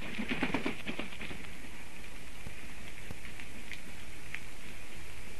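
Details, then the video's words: Three black woodpeckers calling loudly at a black stork nest tree in Sigulda, Latvia, 9:55 am, 30 March 2021, possibly defending territory; a quick run of about six harsh ringing notes, then fainter scattered calls over rain-like patter. "Three black woodpecker - struggle about the territory?"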